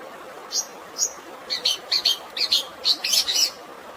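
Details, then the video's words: Long-tailed shrike fighting song with sparrow filling over natural water sound: two lone high chirps, then quickening doubled chirps that run into a short chattering cluster, with a soft steady hiss. "CENDET ISIAN GREJA TARUNG DAN SUARA AIR ALAMI"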